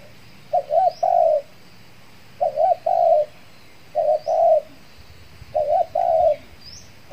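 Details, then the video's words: Spotted dove used as a decoy to lure wild doves in Kepri after its moult; paired phrases of a quick wavering double coo then a longer steady coo, repeated about every one and a half seconds, faint high bird chirps behind. "PIKAT TEKUKUR"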